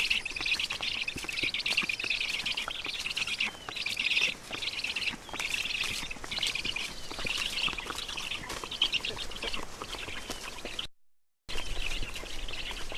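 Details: Black storks in Estonia at the nest at feeding time, midday on 20 June 2019; continuous wheezy, rasping chatter in uneven bursts, with knocks and rustles and a brief silent gap near the end.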